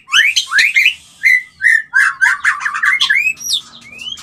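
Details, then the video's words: White-rumped shama mating call, used to bring a bird into breeding condition and mating: loud, clear whistled phrases, some rising and some sliding, then a rapid run of chattering, varied notes and a final rising whistle. "Bikin Birahi dan Kawin Murai - Suara Panggilan Kawin yang Paling di Suka Murai"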